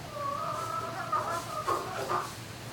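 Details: Turkey in a barn at night, May 2018: a sustained wavering harmonic trill that breaks into several short, louder choppy notes, with a faint low hum underneath.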